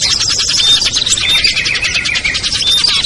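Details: Short burst of lure chatter from small birds, among them ciblek, kutilang, trucuk, sogon and perenjak, aimed at luring birds down: rapid pulsing twitters and brief thin whistles.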